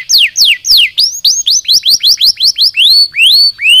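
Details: Canary song to rouse lazy birds: three steep descending whistles, a run of quick chirping notes, then slower rising slurred whistles at the close.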